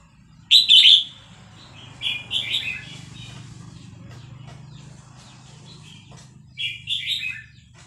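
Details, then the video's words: Caged Vietnamese red-whiskered bulbul, singing excitedly along to a recording of hatched chicks, gives short, bright warbled phrases at intervals over a steady low hum. "นกกรงหัวจุกเวียดนาม ต่อดอกเร็ว เปิดยั้วลูกนกฟักแล้วคึกร้องตาม"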